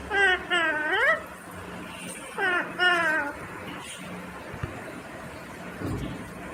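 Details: Green Indian ringneck parrot uttering two rising, speech-like phrases, then quieter scattered sounds and a low hum through the rest.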